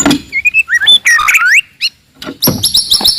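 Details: Aggressive song of a forest white-rumped shama meant to anger rivals: sliding whistled notes and curving sweeps, a short pause, then a high buzzy trill.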